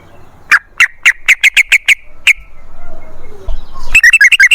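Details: Yellow-vented bulbul (trucukan) singing, played as a lure to get other bulbuls singing: a string of loud, evenly spaced bubbly notes, a short pause, then a faster chattering burst.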